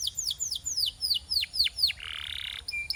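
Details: Canary singing as a training song: seven sweeping downward whistles in steady rhythm, followed by a dry, hissing buzz and a final thin note.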